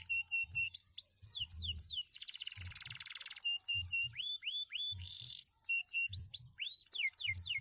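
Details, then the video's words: Canary, formerly a field bird, singing loud and fast: rising whistled sweeps and flat whistles repeated in quick series, broken by dense buzzy rattling trills near the start and middle, over low rhythmic thumping in the background. "KENARI BIKIN MELONGO..SUARANYA MANTAP"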